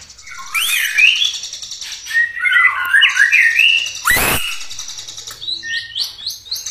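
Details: Caged white-rumped shama in vigorous song meant to spur other shamas to sing: quick tumbling warbled notes, a loud harsh rasp, then a rapid series of high repeated chips.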